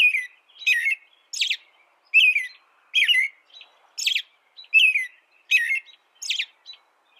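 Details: American robin song: loud, punchy warbled phrases topped with squeaky high notes, repeated roughly every 0.7 seconds in a clean, quiet recording meant for training songbirds.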